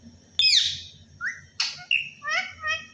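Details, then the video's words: Parrot saying Allah Hoo with a sharp squawk, short whistled slurs and a raspy burst, ending in warbling harmonic syllables, with laughter just after. "Parrot Talking ALLAH HOO میاں مٹھو کی باتیں اللہ ھو"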